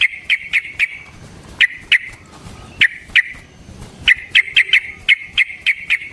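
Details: Yellow-vented bulbul, a long fighting song used as a lure and for training: bright chirpy notes in bursts, some clustered in quick runs, with short gaps between groups.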